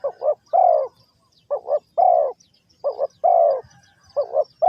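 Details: Spotted dove from Ninh Thuận recorded near a bird trap. It coos in mellow mid-pitched phrases, each a quick double note followed by a longer drawn-out hoot, repeated about every one and a half seconds. The background is quiet.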